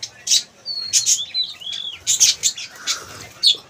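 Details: Colony of caged budgerigars, breeding pairs with eggs: loud busy chatter of sharp high chirps and thin whistled slurs rising and falling, calls coming in quick bursts almost without pause.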